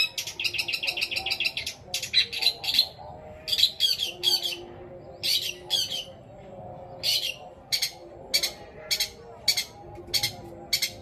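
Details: Long-tailed shrike singing long mimicry fill in greja petir and kuntilanak style to draw song from silent shrikes. An opening fast rattle of chirps, then spaced single sharp notes roughly every half second.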